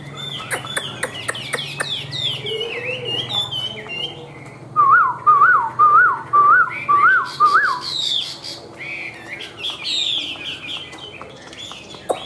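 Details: Caged Chinese hwamei with white wings and white tail, sold as a strong fighter and high singer: a run of loud, wavy, rising-and-falling whistles repeated about twice a second midway, among varied chirps and other birdsong throughout.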